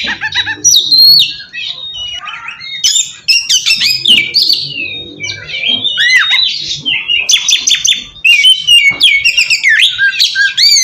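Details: Oriental magpie-robin singing as a lure for untrained birds of its kind. A long, restless stream of whistles, squeaky slurs and scratchy notes, rising and falling, with a few brief pauses.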